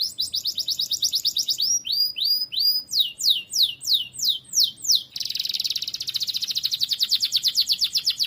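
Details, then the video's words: Canary singing vigorously as tutor song for cage birds: rapid high trill, then a run of loud downslurred whistled notes about three per second, ending in a dense fast buzzy rattle, clean background. "KENARI GACOR"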